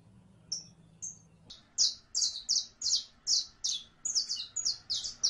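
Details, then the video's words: Saffron finch giving two thin whistled notes, then a steady, rapid string of bright, buzzy chirps, about three each second, rising slightly in pitch toward the end, with a faint low hum at first. "CANARIO CRIOLLO (SICALIS FLAVEOLA)"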